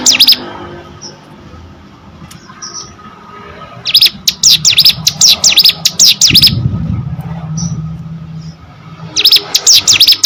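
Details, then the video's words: Hill prinia kept as a cage bird, singing in separate bursts of high, quick buzzy notes between quiet stretches, with faint chirps and a low rumble in the background. "burung ciblek gunung gacor"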